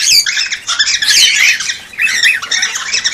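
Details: Cockatiels vocalising in a recording meant to encourage breeding and production: busy, harsh, high squawking chatter mixed with short whistled slides, overlapping and almost unbroken, briefly quieter near the middle, apparently indoors.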